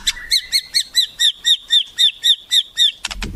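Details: White-rumped shama used as a master-tutor song with wild-bird imitations, repeating a short upswept whistled note about four times a second over a thin steady tone, ending in a harsh burst.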